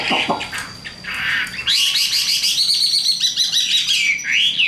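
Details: Young, newly arrived tame Chinese hwamei kept in a cage and carried by hand, not yet in peak condition, delivering a rapid, varied run of bright whistled and twittering phrases, getting louder and denser halfway through.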